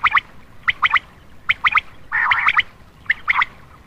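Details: Common quail calling at night to lure males: clear three-note phrases of sharp liquid whistles, repeated about every 0.8 seconds, with one harsher rolling burst in the middle.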